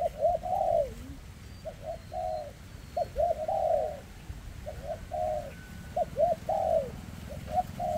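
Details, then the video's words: Spotted dove with an unsteady leg, delivering a very thick 'rước' style call: mellow, low coos in short clusters, some notes bending downward, repeated in bursts about every two seconds over a steady low hum. "Chú Chim Có Tặt Có Tài , Siêu Phẩm 2024 Kèm Rước Siêu Dầy ( Chim Bị Rẩy Giò )"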